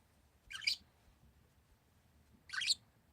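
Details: Parakeets giving two harsh, rasping chirps spaced about two seconds apart, each short burst sweeping broadly through the upper range over a quiet, faintly rumbling background.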